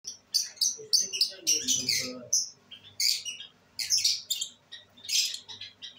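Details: Albino red-eyed pet lovebirds enjoying the day, dated 5/09/23: loud, piercing chirps in quick strings and separate bursts, some squawky notes, with short silences between groups and a soft low hum.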